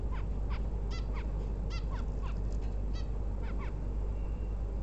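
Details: Female bulbul ready to lay eggs, giving short harmonic notes that slide down, in scattered pairs and singles, over a loud steady low rumble of background noise.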